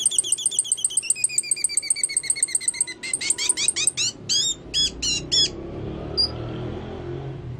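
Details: Sunbird in lively song: a long, high, rapid trill of ticking notes that drops slightly in pitch after one second, then strong, sharp, spaced chirps that fade to one last faint note, with low background hum.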